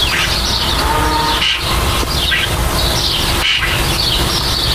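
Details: Starlings busy nesting and building a nest give bursts of high, scratchy chirps and whistles in short clusters, with pauses between, against a deep, continuous rumble.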